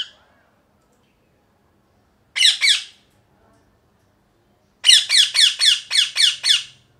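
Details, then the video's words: Loud parrot screeching: a pair of raspy squawks, a pause of about two seconds, then a fast, steady series of seven harsh squawks, roughly four per second. "Loud Parrot Chirping | Natural Parrot Sounds | Parrot Calling Sounds"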